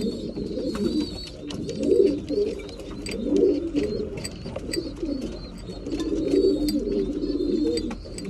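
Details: Several breeding pigeons feeding at mealtime in an enclosed space give throaty, bubbling coos in waves, layered with faint high-pitched whistling squeaks and light tapping.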